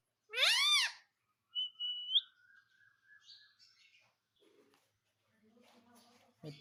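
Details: Pet parrot with one bright, arching squawk near the start, then faint whistled notes and soft scattered sounds trailing off in a quiet room.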